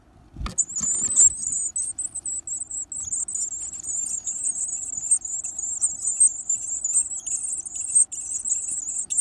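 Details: Varied tit chicks being fed, greedily stuffing themselves with food: a dense, continuous high hissing chatter of begging, steady and unbroken through the clip, after a short clatter near the start.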